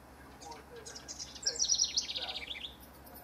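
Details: A house wren among rivals recorded in June 2015 pours out a quick, gurgling trill of high notes that cascades downward over about a second, preceded by faint chirps.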